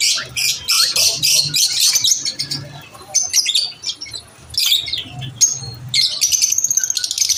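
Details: Lovebirds chirping at lunch time: a busy flock chorus of shrill, rapid, overlapping squeaks and twitters, coming in bursts with brief lulls and rising to a dense, buzzy chatter near the end.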